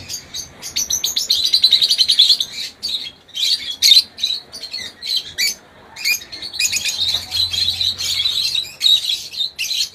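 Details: Lovebirds (Agapornis) at a breeding farm give a busy chorus of shrill, high chirps and chattering squeaks in rapid bursts, several birds calling over one another almost without pause.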